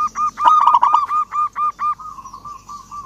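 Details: Local zebra dove, vigorous and emotional, calling out a rival with a series of about ten evenly spaced, rounded coo notes after a bright trill, ending in a level drawn-out hum.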